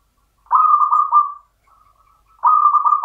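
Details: Champion local zebra dove singing in the standard Mataram rhythm style: two bright, trilled cooing phrases, each about a second long with three quick pulses, separated by a short pause with a faint soft murmur.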